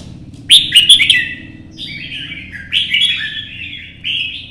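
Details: Red-whiskered bulbul singing alone in the morning sun, perch-hopping during competition-style song aimed at rousing other birds: loud clicking, chirping burst first, then smooth descending warbled phrases repeated twice, with low background hum.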